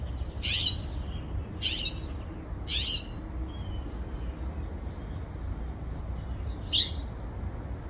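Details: A backyard bird with a repertoire of more than 20 sounds gives harsh, downward-sweeping raspy notes about a second apart, then a thin whistle and one more rasp, over strong low background rumble.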